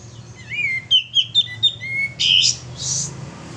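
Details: Male sooty-headed bulbul singing for use as a lure, a short burst of sweet slurred whistles stepping up and down, then two harsh buzzy notes.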